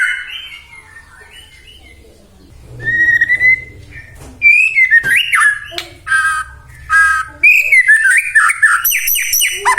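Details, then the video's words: White-rumped shama song for provoking rival shamas: soft whistles build into loud varied phrases with sharp clicks, sliding whistles and a closing string of quick high notes, over a faint low hum. "murai batu gacor AMPUH buat PANCINGAN murai batu agar bunyi"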